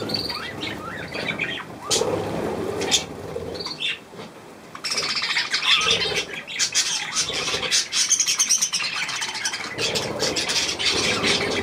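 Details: Budgerigar family with young birds at millet on 3 May 2024 gives whistled notes and warbles early, then a steady, dense stream of chirps and chatter after a short lull, alongside a German-speaking voice.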